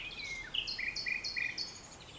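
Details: Nightingale at dusk in farmland-edge vegetation in France, 22 April 2020, delivering a sliding whistle, then a loud series of paired high chirps repeated about five times in quick succession.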